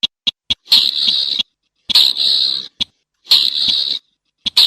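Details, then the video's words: A slaty-breasted rail alternates quick sharp ticks with three long, harsh, buzzing rasps at roughly one-and-a-half-second intervals, and clean silence in between. "សំលេងសត្វដុំដុលប្រផេះជំពុះក្រហម / Sound of Slaty -Breasted Rail"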